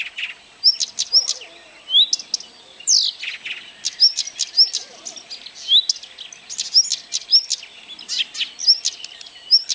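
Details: Singing Blyth's reed warbler in Kępiny Małe, Pomerania, Poland, on 12 June 2011, giving a measured run of high upslurred whistles and scratchy clicks, one sweeping downward note midway, phrases spaced under a second apart.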